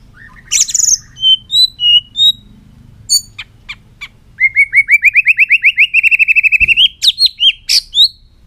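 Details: White-rumped shama singing in a long varied phrase: sharp high whistles, then a rapid series of about twenty rising, buzzy upslurred notes, ending with bright high flourishes.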